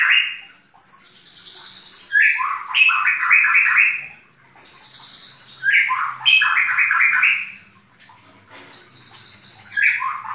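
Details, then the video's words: White-rumped shama song, full-volume burst style, loud varied whistled phrases sweeping between high and mid pitch, bursts of rapid slurred notes repeated in strophes with short pauses between them. "Murai batu Al faruq full tembakan"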